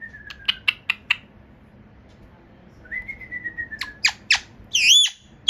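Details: Parrot calling indoors: a steady high whistle, a quick burst of four sharp clicks, another level whistle sliding downward, then loud sharp squawks and a rough wavering screech near the end.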